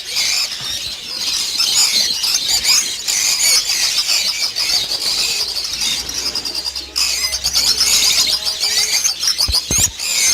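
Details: Hundreds of lovebirds in a breeding farm of 800 pairs, producing ceaseless piercing chatter and squeals. A short lull comes near seven seconds, then the din returns, with thumps and handling noises at the end.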